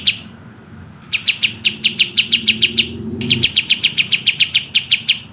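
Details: Sooty-headed bulbul singing vigorously in a fast, tight style, from a master recording used to train songbirds. Two long bursts of sharp, high chirps run at about four per second, with a short break between them.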